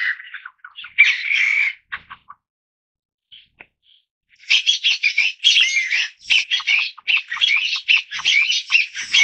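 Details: Taiwan bamboo partridge of Taiwan's wooded hills: after a few harsh notes and a short lull, a loud rapid series of scratchy, chattering calls starts up and runs on quickly to the end.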